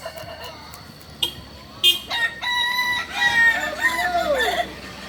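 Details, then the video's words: Kukuak balenggek rooster crowing during a final singing contest at Ampang Kualo, Kota Solok, Sunday 8 September 2024; after short clicks and bangs, a crow of chained, bending notes ends in a long falling glide. "Final latberan ayam kukuak balenggek"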